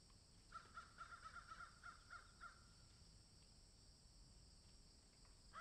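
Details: Crows cawing in a field, a fast run of short rasping caws for about two seconds, then quiet with a distant hum, and a single caw at the end.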